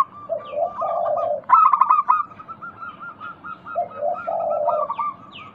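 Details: Local zebra doves singing in a lure recording meant to get other doves calling: rapid staccato cooing notes in a fast run, with lower, purring coo bursts at the start and near the end. Thin high chirps of other birds are heard throughout.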